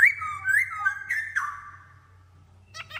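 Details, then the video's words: Masked laughingthrush, one of a newly added pair in an aviary: loud whistled phrases around mid pitch, slurred and wavering for about a second and a half, then a pause and short sharp notes near the end; steady low hum throughout. "Sepasang Poksay Hongkong Penghuni Baru Di Aviary"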